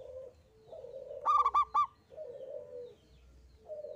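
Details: Local zebra dove in full 'engkel' single-phrase song, meant to coax other birds into singing: one quick burst of three or four bubbling coos, with softer, lower drawn-out calls before and after it.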